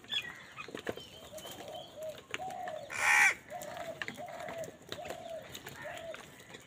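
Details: Crows fighting over food give short, harsh, nasal caws in a quick irregular run, with a loud burst of wingbeats midway and faint chirps from other birds behind.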